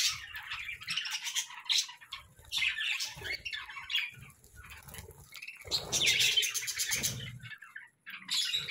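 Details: Several budgerigars chirping in the morning, bursts of raspy, buzzy chatter rising and falling, separated by short quieter spells, with soft low knocks in the background.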